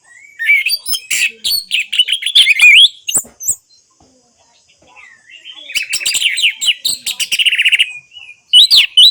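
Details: Orange-headed thrush song, played as therapy to get silent captive birds singing: bright, varied warbled phrases of rapid slurred and rising notes, a short pause, then a longer busy run of quick chirps and trills.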